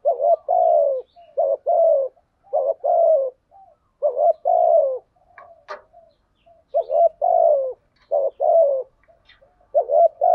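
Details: Cooing spotted dove used as a decoy to bring wild doves into song; a long run of repeated low mellow phrases, rising hooked notes paired with falling coos, one brief click partway through.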